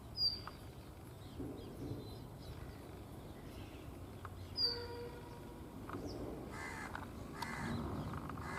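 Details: Brown rock chat at Tibbi, Hanumangarh, Rajasthan, India, in 2019, calling steadily while dancing. It gives two short, sharp, high whistle-like calls with a harsh edge, about four seconds apart, over a low rural hum and rustling.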